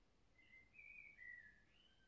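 A blackbird gives a brief phrase of mellow, fluted whistles, a few sliding notes over about a second, against a faint steady hiss.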